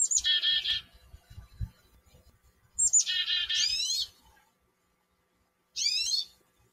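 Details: Chickadees in a backyard repeating phrases of high chips leading into harsh, buzzy, stacked 'dee' notes, one phrase ending in rising slurred notes, with a separate short rising buzzy call near the end; soft low rumbling between phrases.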